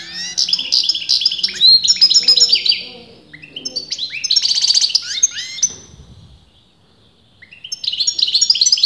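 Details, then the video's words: European goldfinch, a kept bird whose sex top breeders disputed, singing continuously: rapid liquid twittering with buzzy trills and quick slurred notes, two long bursts split by a pause near seven seconds, then song resuming. "غناء متواصل لمقنين"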